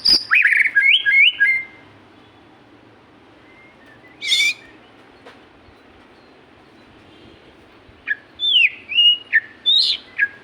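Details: Magpie-robin singing in spaced bursts: quick fluty warbled phrases at the start, a brief harsh burst mid-way, then more rising and falling whistled phrases after a long quiet gap.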